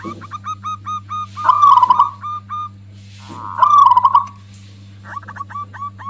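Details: Local zebra dove in loud song, described as angering other doves and suited for luring them. Rows of short, bright coo notes alternate with two loud rippling trilled bursts, with a low steady hum throughout.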